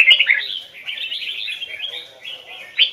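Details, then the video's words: Red-whiskered bulbul of Hoài Sơn forest origin, a caged training bird, gives a short double-note strophe: bright whistled opening notes, a softer running warble, and a final sharp rising whistle. "Chào mào hót giọng chuẩn, âm kép rừng Hoài Sơn"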